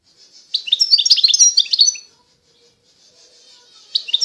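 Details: A European goldfinch of the eastern Algerian Constantine line pours out a quick burst of sharp, high twittering notes, falls nearly silent with faint soft chips, then starts a new twitter at the end.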